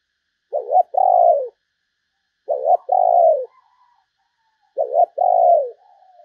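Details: Spotted dove used as a decoy for wild doves, repeating a two-part call about every two seconds: a quick low double note then a longer purring coo that sags at the end, three times.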